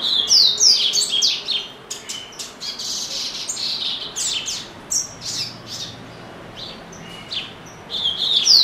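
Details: Double-collared seedeater, a pet bird kept in a cage in Brazil, delivering bursts of rapid high twittering and whistled slurs, brief gaps between phrases, loud bursts at the start and end.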